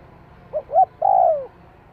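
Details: Spotted dove calling to stimulate a decoy bird: two short mellow coos, then a long, drawn-out crooning note that slides gently downward and fades, over a faint low background hum.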